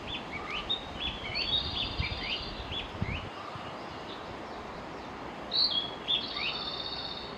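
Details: Narcissus flycatcher song, filmed through a narrow gap: a quick series of high whistles and falling slurs for three seconds, a pause, then a louder whistled phrase, with steady hiss and low thumps.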